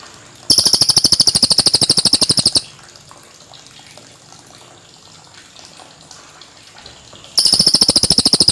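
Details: A cililin gives two separate bursts of rapid, sharp, high-pitched ticking notes, each about two seconds long, with roughly five seconds of faint background hiss between them.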